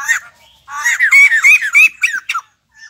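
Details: Newly caught caged white-crested laughingthrush in a quick loud run of harsh squawking notes with upward-bending whistled tones, ending abruptly.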